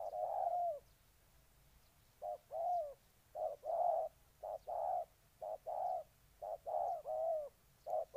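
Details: Ninh Thuận, Vietnam spotted dove song: one long coo, a pause, then a steady run of short and longer hollow coos in quick groups, with faint distant chirps.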